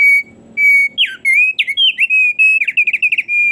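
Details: Lively thick-billed heleia song: long steady whistles lead into a fast, almost unbroken string of swooping and wavering notes and short trills.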